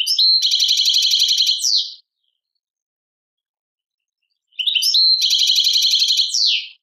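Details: European goldfinch song labelled Tadmait, Algeria: two bright twittering phrases, each opening with rising notes into a dense buzzy trill and ending in a sharp downward slur, separated by a long silent pause.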